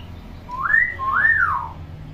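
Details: Tame talking common hill myna: two smooth whistles, a quick upward slide then a broader rise-and-fall arch, with a soft low hum behind.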